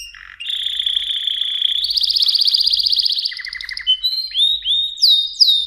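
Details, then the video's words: Song of a Mosaic canary: a sustained high tone gives way to a rapid pulsed trill, brief lower rattled notes, then several rising and falling whistled slurs. "تغريد كناري موزاييك Chant de Canari Mosaïque"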